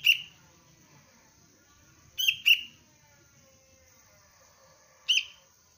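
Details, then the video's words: Bright, sharp chirps from a young sooty-headed bulbul trained for cengkram luring: one note, a quick pair, then another single, in a quiet setting with a thin steady whine. "Anak kutilang pelatihan dasar untuk pikat Cengkram"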